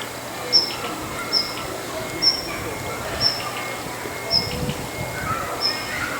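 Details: A single female Daurian redstart calling in the morning from a rooftop: a thin, high, sharp whistle repeated about every second, over steady background hum and faint distant noise.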